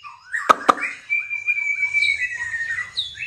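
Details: White-rumped shama building up its song: two sharp clicks, then a long level whistled note followed by quieter warbled phrases.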